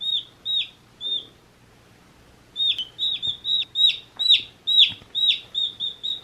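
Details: One-day-old domestic chicks peeping: high, shrill downslurred chirps, a few at first, then a pause of over a second before a rapid run of loud peeps about three per second.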